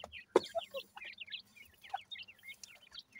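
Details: Dakni teetar (grey francolin) chicks feeding: a run of clear, thin, wavering peeps, often rising then falling. A few dull knocks sound early on.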